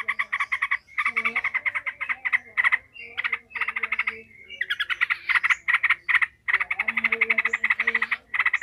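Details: Emotional yellow-vented bulbul in full 'ngekek' chatter, used to build other bulbuls' fighting spirit: dense rattling runs of grating notes broken by brief gaps, with a low humming drone underneath.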